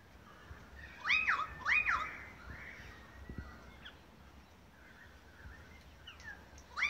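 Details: Australian magpies singing in Beverly Hills, Sydney, Australia, in August 2015, part of a long group concert; loud rising-falling warbled notes near the start, softer fluting phrases in between, another bright note at the end.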